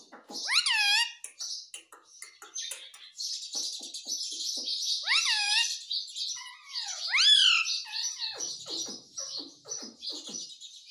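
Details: Pet ringneck parrot, said to be talking, gives several loud rising harmonic squawks and sweeping chirps with short chattering notes and a softer warbling murmur between them.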